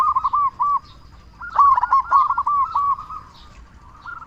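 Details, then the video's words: Zebra dove of local stock, big-voiced and often singing, used as a lure to get other doves calling: a short rolled phrase, a pause, then a longer string of fast, bouncing coos fading out. "Perkutut Lokal Gacor Suara Besar Pancingan Burung Perkutut Agar Cepat Bunyi"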